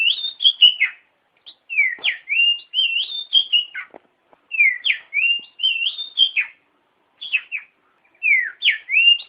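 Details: Oriental magpie-robin (kacer) tutor song for training other songbirds: a repeated phrase of rising and falling whistles and slurred notes, given about every two seconds, clear and loud.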